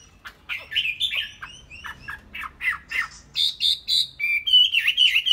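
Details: Ornamental Chinese hwamei song opening with quick downslurred chips in a steady series, then moving into loud, sustained whistled phrases and a fluty warble at the end.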